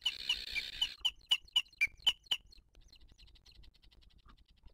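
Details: Booted eagle at its wild nest in 2023, where the female feeds her chick while other birds attack her. A series of sharp, loud, high chirps repeats about four times a second, then fades into fainter notes.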